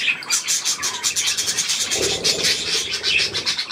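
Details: Budgerigars with their young, recorded 3 May 2024 while given millet; dense, continuous high scratchy chattering and squeaky twitters from several birds overlapping without pause.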